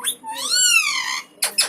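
An Alexandrine parakeet gives a drawn-out, nasal, rising-then-falling wail lasting about a second, followed by two short, harsh, grating squawks.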